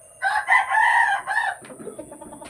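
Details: Desi rooster, newly arrived at a chicken farm in Odisha, crowing once: a loud, harmonic, hoarse call of about 1.3 seconds in several rising and falling segments, ending in a brief lower tail, then quiet background rustling.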